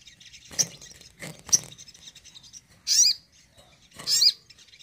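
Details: Crimson Sunbird (sogon) 'tembakan' shooting song to stir a less eager sogon: soft, scattered ticks, then two loud, high, twisting chirps about a second apart.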